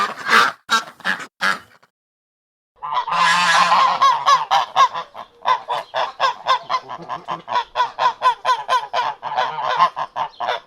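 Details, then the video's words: Ducks quacking in a quick series of nasal, harmonic calls. A few loud quacks come first, then a pause, then a steady run of shorter quacks at about two per second. "صوت البط"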